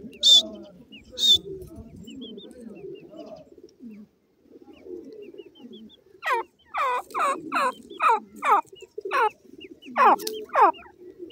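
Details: Grey francolin (dakhni teetar) together with chicks: two high peeps, then a pause of low murmuring chatter, followed by a fast series of sharply descending notes, about three per second.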